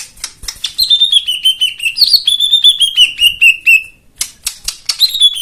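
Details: Loud white-eye song with lavish filler phrases, aimed at getting silent birds to sing: long, gently descending whistled notes held over a busy patter of high chips, ending in staccato ticks.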